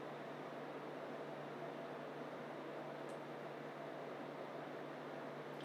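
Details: Constant low hum and even noise, like a fan or room air, run throughout with no calls.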